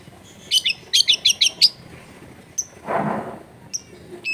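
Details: Long-tailed shrike, an eager singer with a rich repertoire, recorded to rouse other shrikes. A quick burst of six sharp chattering notes, then a pause, a soft low rushing noise and two thin high chips.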